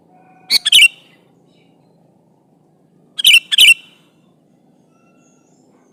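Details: Sooty-headed bulbul calling an opponent in eager song, used as a lure for other bulbuls: two short phrases of two to three liquid, bubbly whistled notes about three seconds apart, plus one note cut off at the end.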